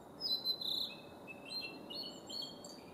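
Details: Male blue-and-white flycatcher in song at Kawaguchiko Field Center, Japan, 4 May 2017: a series of high, clear whistles with short sliding phrases and a few lower notes, faint over a steady rural background.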